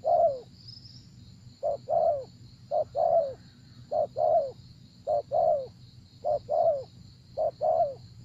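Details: Spotted dove during decoy trapping uttering evenly repeated phrases, a short upslurred note then a falling coo, about seven pairs at a regular pace, with a persistent high-pitched whine and faint low rumble.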